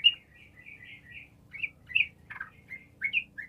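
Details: A sooty-headed bulbul sings a gacor lure song meant to make mute bulbuls reply. It is made of soft, slurred whistled notes spaced irregularly, with a louder chattering burst midway and rising notes near the end.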